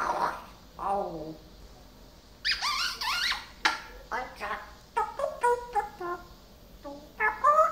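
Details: Pet parrot, recently learning many new words, chattering indoors in rapid speech-like bursts, with harsh squeaky syllables and wavering harmonic phrases repeated in quick succession.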